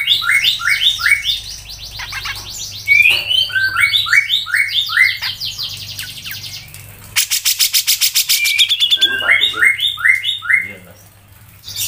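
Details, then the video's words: Grey-cheeked bulbul (cucak jenggot) song in the dense 'mbeset ngepik rapet' style, used as a tutor recording for songbird keepers: fast runs of short, sharp, dropping chirps in bursts, a harsh rattling buzz midway, then more quick chirp series. "MANTUL, CUCAK JENGGOT MBESET NGEPIK RAPET | masteran cucak jenggot"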